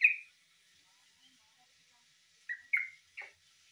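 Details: Yellow-vented bulbul, said to resemble a green leafbird, opens with a loud whistled note, then after a silence gives three quick clipped whistled notes in succession.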